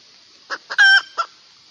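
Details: Hen from Phayao, Thailand, calling for a male: a brief cackle of a few short harsh notes with one longer, clearer tonal note in the middle, over a quiet steady background hiss.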